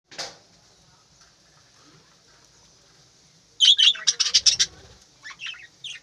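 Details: Budgerigars in a home aviary in the morning, their chatter said to wake people: a single sharp squawk, a quiet gap, then a burst of rapid high chirps and squawks followed by a few scattered short calls.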